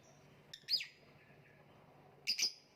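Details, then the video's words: Two brief bursts of shrill, high-pitched lovebird chirping about one and a half seconds apart, each a quick double note, against a soft steady background hum. "voice of love bird/ kicau mania lovebird gantangan macet"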